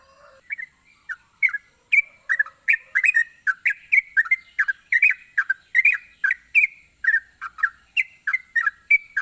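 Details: A keenly singing yellow-vented bulbul, recorded to encourage lazy bulbuls to sing, gives a continuous chain of liquid, warbling chirps, often doubled, at a brisk even pace over a faint constant high whine.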